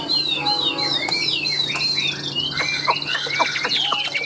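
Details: A large-bodied, tame, captive Chinese hwamei known as a strong singer and fighter pours out a fast, varied song of loud, slurred whistles, rising and falling phrases with no pause, over a faint low hum.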